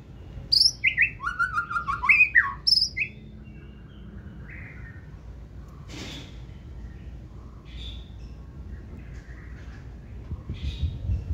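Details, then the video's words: A caged white-rumped shama sings a forest-style phrase of bright chopped whistles for about three seconds, then falls mostly quiet with faint distant notes and a brief rustling clatter. "Chòe lửa bông hót giọng rừng"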